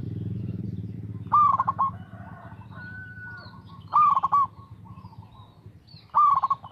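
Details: Local zebra dove singing steadily as a lure to make other doves sing. Three phrases of a quick rising note and a rapid run of bubbling coos, with a loud low hum at the start and a faint whistle between phrases.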